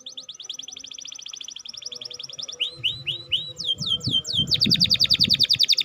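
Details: Canary song used to prompt a lazy or stalled bird to sing: rapid trills of high repeated notes, then a few looping slurred whistles and a fast buzzy rattle, with faint low rumbling underneath.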